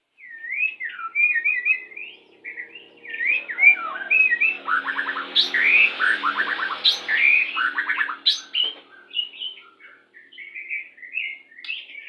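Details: Pastol white-rumped shama song used when pairing birds to hasten breeding condition: looping whistled phrases at the start and end, with rapid rattling series of clipped notes in the middle, delivered almost without pause.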